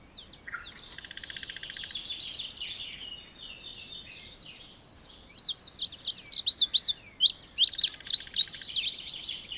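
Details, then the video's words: Indigo bunting singing: a fast run of sharp, high, down-slurred notes repeated several times a second, bright and emphatic, following softer high chatter and a background buzzy trill from other birds. "Canto do Bandeira Índigo ou Estamenha Índigo"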